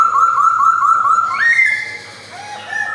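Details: Male white-cheeked Black-throated laughingthrush in a Yogyakarta collection, 2021. About six quick bouncing whistles come in a row, then a rising whistled note and softer lower tones.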